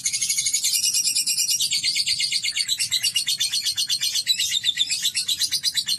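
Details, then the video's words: Lovebird kept as a pet being trained toward long ngekek, a continuous rapid chattering trill: dense high buzzy pulses run unbroken for six seconds, dipping slightly in pitch midway, with a faint low hum beneath. "Terapi Burung Lovebird Agar Ngekek Panjang"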